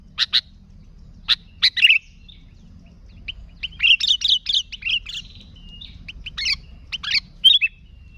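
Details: Energetic song of a sooty-headed bulbul, played to lure bulbuls: scattered sharp chirps at first, then a fast jumbled cluster of bright notes, then spaced chirps again.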